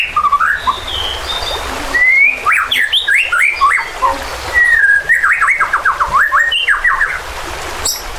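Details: White-rumped shama giving agitated lure song meant to make other birds fight and sing. Long runs of fast, zigzagging whistled notes are broken by a clear rising whistle, over a steady rushing background.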